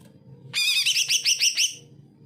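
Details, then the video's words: Greater green leafbird singing, a lure for reluctant singers: a harsh, buzzy phrase of six rapidly repeated rasping notes rich in overtones, over a faint low hum. "CUCAK IJO GACOR, COCOK BUAT PANCINGAN CUCAK IJO MALES BUNYI"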